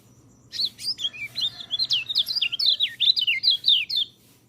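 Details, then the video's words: White-eye singing, meant as a model for birds that seldom sing: a quick, unbroken string of high, thin twittering notes with sharp rising and falling slurs, about four per second. "MASTERAN BURUNG PELECI, cocok untuk burung peleci malas bunyi"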